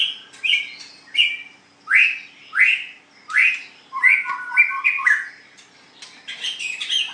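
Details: Caged white-rumped shama in a singing contest, repeating loud upslurred whistled phrases about once a second, then switching to faster mixed notes and buzzy high trills.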